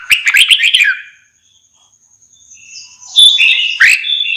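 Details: Red-whiskered bulbul with a rapid chattering whistled phrase, a quiet gap with a thin high tone, then clear sliding whistles rising and falling.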